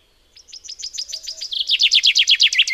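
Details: Chaffinch singing a rapid series of crisp, falling notes that gather pace and loudness into an accelerating ringing trill. The phrase stops before its usual closing flourish.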